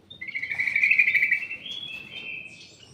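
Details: Caged ruby-throated bulbul in a private aviary delivering one continuous warbling phrase, loud at first and then fading into softer, higher notes, over faint low background hum.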